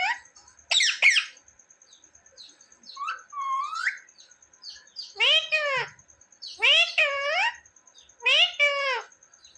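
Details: Pet talking parrot known for saying mummy and papa; a few high chirps, then three loud arching harmonic calls roughly a second and a half apart over a faint steady hum.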